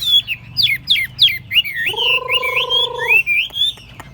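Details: A Chinese hwamei kept tame in a portable table cage sings fast, varied looping whistles. A steady, droning, buzzy tone runs underneath for about a second.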